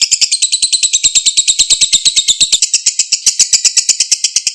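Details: Sustained ngekek chatter of a lovebird, a lure to make a silent lovebird reply. Loud, harsh, fast-beating trill, roughly eight notes a second, unbroken across the whole stretch.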